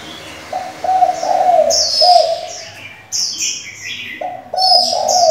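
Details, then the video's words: Spotted dove, a decoy with varied voices used to train young doves, gives runs of low, hoarse cooing notes in two bouts, while high sharp chirps of other birds sound in between. "Cu gáy đảo giọng liên tục, kích bổi hay, luyện CU non chuẩn!"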